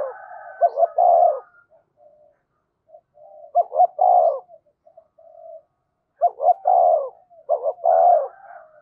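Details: Decoy spotted dove calling to stir wild birds: repeated low, mellow phrases of paired short notes ending in a longer rolling coo, with soft quiet coos between and gaps of about a second.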